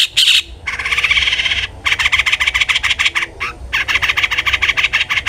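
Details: Long-tailed shrike calling persistently, used as a lure to make other shrikes sing: dense buzzy, grating bursts in rapid rhythmic pulses, one long rasping run then a series of short repeated harsh notes after brief pauses.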